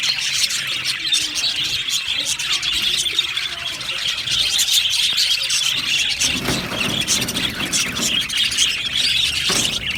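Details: Budgerigar aviary colony, continuous high twittering from many birds, joined after about six seconds by a broad rushing noise across the lower range.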